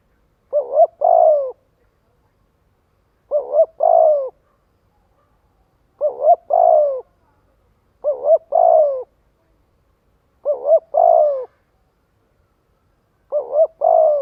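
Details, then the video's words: Spotted dove calling to draw in and gather others, six evenly spaced phrases over fourteen seconds, each a fast double coo then a drawn-out falling coo, in near silence. "Tiếng chim cu gáy kích bổi gọi bầy hiệu quả."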